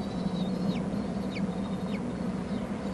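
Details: Hornby Island bald eaglets at the nest during a food delivery: softer high thin whistles with steep falling ends, three or four in quick succession, partly blurred by a steady low hum.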